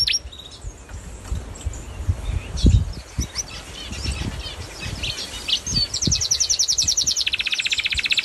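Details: Songbird singing in peaceful nature: scattered faint chirps and low knocks at first, then a fast, loud, even trill of buzzy notes that runs through the final seconds.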